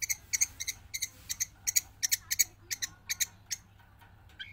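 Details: Javan long-tailed shrike singing non-stop after release from its cage gives rapid, harsh, ringing double notes repeated about three times a second, becoming sparser toward the end, with a low steady hum underneath.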